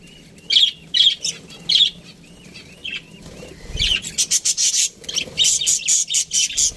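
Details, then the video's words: Budgerigars in an aviary give scratchy, high chirps in quick bursts, loudest in a rapid run of sharp notes near the end, over faint rustling. "Budgies Parrot chirping sounds"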